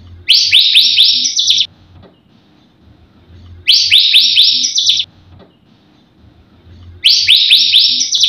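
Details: White-rumped shama full isian song used to encourage other birds to sing: a phrase of four or five quick upswept whistles repeats three times, separated by pauses of about two seconds, in near silence.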